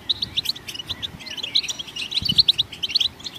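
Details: Goldfinch song, sung to stimulate other songbirds. Bright, separate high chirps and tinkling notes come in quick irregular bursts, with a few sliding whistles and a soft low knock near the middle.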